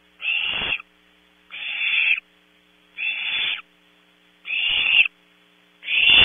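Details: Barn owlets at Starr Ranch, California, jostling over prey delivered at 0300; five loud rasping hisses roughly every 1.3 seconds, each a harsh noisy burst with sharp onset, above a quiet background hum.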